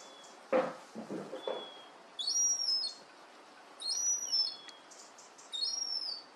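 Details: Young herring gull siblings, just fledged, playfully investigating a garden. A few soft knocks, then three high, wavering whistled calls about every one and a half seconds, with a faint thin tone between them.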